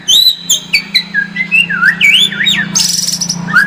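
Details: Lure song of a white-rumped shama, played to build a fighting spirit: quick bright whistles sliding downward one after another, ending in a harsh buzzy high burst, with a steady low hum beneath.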